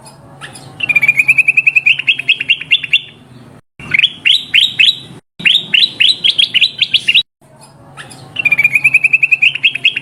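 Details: Sooty-headed bulbul calls used to lure wild birds: a long, even chattering trill of rapid notes, then bursts of sharp rising chirps, then the steady rolling trill again.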